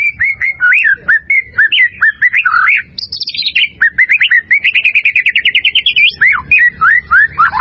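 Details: White-rumped shama singing for training caged birds: a long, varied run of whistled slurs, a quick trill of repeated notes, and rising and falling phrases, delivered continuously and loud, with faint low background hum.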